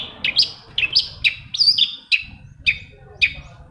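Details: Long-tailed shrike voice meant to set other shrikes singing: quick chattering phrases of sharp high notes and falling slurs, about two per second, over a faint low murmur.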